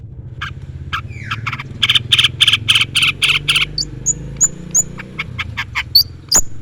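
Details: Long-tailed shrike singing with mimicked fill notes, calling a rival: a run of harsh, buzzy rapid notes, then high clear whistles and sharp chips mixed together over a steady low hum.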